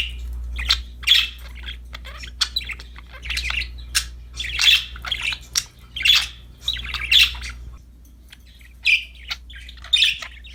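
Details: Pet budgerigars in a cheerful mood with a new toy chatter in buzzy, slightly squawky chirps, grouped in short runs separated by brief quiet spells, low hum in the background.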